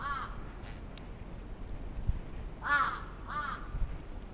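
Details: Crow attack, Atsubetsu Ward, Sapporo, Japan, 27 June 2017: three scattered hoarse caws, fairly distant, over a quiet background hiss.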